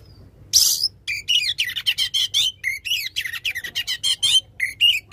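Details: Loud oriental magpie-robin song for prompting a quiet magpie-robin; after one harsh raspy note, fast repeated whistles and buzzy trills pour out in a steady, varied stream.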